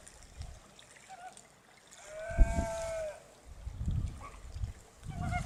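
A Greater Flamingo gives one clear, nasal, goose-like honk lasting about a second, with fainter honks around it, over low splashing water.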